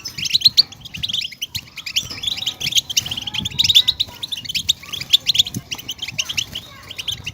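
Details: European goldfinch chatter aimed at making caged goldfinches sing: quick runs of sharp, bright high notes and buzzy twitters, in uneven bursts, over soft background rumble.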